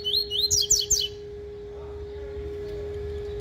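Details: Double-collared Seedeater (coleiro) practising its tui tui fugitivo song: a rapid burst of bright whistled and slurred notes lasting about a second, then quiet with only a constant low hum.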